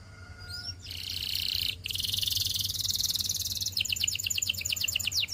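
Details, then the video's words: Canary singing for training over a low background hum: a faint swoop, then a long buzzy rolling trill and a closing run of clear, repeated descending chirps. "Canary Singing Practice Video"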